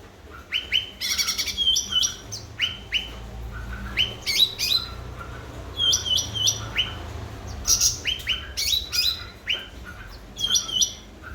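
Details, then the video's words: Chattering cucak ranting bulbul song used as a lure to prompt quiet birds: clusters of quick rising whistled notes repeated every second or so, punctuated by high piercing chips. "Burung Cucak Ranting Gacor//pancingan cucak Ranting Macet Bunyi."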